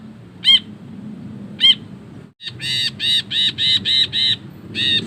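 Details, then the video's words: Ashy bulbul giving its long chattering 'ngekek', recorded for training songbirds. Two isolated sharp notes, a brief gap, then a fast series of about eight harsh nasal notes over a low hum. "BURUNG BRINJI KELABU GACOR NGEKEK PANJANG"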